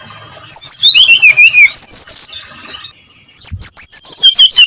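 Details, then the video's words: Brown-chested jungle flycatcher singing at dawn: rapid, varied high whistled phrases with sliding notes and twittering trills, a short pause near the middle, then another falling whistled run. "SUARA SRDC NGEPLONG PAGI BUTA"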